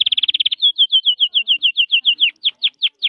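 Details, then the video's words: A canary singing on 18 January: a rapid buzzy trill, then a run of clear, evenly spaced chirped notes, roughly five per second, high and bright; nothing else is audible. "canary singing. canario cantando"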